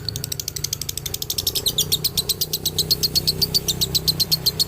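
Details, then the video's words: Male lovebird from Ciamis singing in the dobelan style: a fast, high, chattering run of clipped notes, about four per second, growing louder and more even toward the end over a low steady background hum. "SUARA ASLI DOBELAN LOVEBIRD JANTAN"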